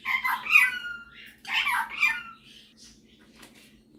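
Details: Indoor pet superb parrot, a male, showing off song and mimicry: two rasping, squawking phrases with drawn-out whistled tails, then near quiet with faint rustles and a sharp knock at the end.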